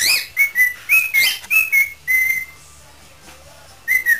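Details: Pet parrot in an improvising singing mood, whistling a run of short, clear notes that hold and then slide, with a quiet pause before a final falling whistle.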